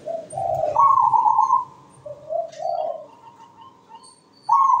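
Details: Zebra dove in full sweet song with good rhythm: low rolling coos rising into a long, level, higher note, repeated once, then a bright high coo begins. Faint low rumble underneath.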